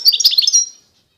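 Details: Constantine-type goldfinch from eastern Algeria giving a short, bright twittering phrase of quick high chirps and trills that fades out after under a second, with silence following.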